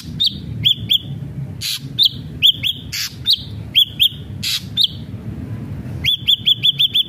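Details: Ashy drongo giving lively, varied song: ringing upslurred whistles mixed with loud harsh rasps, finishing with a rapid burst of six identical arched whistled notes.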